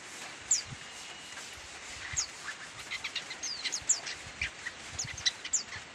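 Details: Young long-tailed shrike still learning to sing, giving soft scattered high chirps and short thin notes, irregular and uneven in pitch, over faint background hiss.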